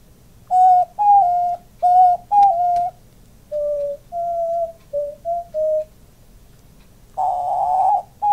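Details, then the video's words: Male pet diamond dove that puffs up as he coos, cooing together with his owner: a run of short, soft, hollow tonal coos, some level and some gently falling, then a louder breathy rasping burst near the end. "Diamond dove cooing"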